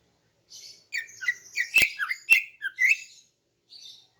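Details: Female greater green leafbird in the morning, calling to lure males: a varied, chattering sequence of squeaky, slurred notes mixed with two sharp clicks, ending in a soft high twitter.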